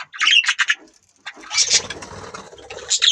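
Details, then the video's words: Budgerigar chirps, a few quick scratchy notes, then a longer chattering warble over a low rumbling background. "Budgies Birds talking sound | Birds chirping sound"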